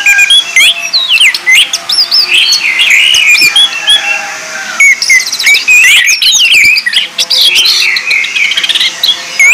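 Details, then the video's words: Orange-headed thrush singing a lure recording meant to train birds: busy high-pitched whistles, sharp upward sweeps and rapid twittering runs, delivered in a steady, energetic stream. "PANCINGAN ANIS MERAH"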